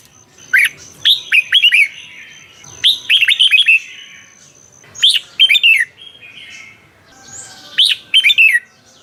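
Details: Red-whiskered bulbul kept in a cage in Thailand, with song used to rouse other birds: four clear phrases of quick descending whistled notes spaced over several seconds, a faint steady high whine behind the first half.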